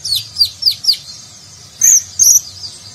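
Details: Van Hasselt's sunbird (konin, kolibri ninja), a nectar-eating bird, in a training recording for contest birds in the nagen style; a series of four thin, high, downslurred notes, then two sharp, bright chirps after a pause.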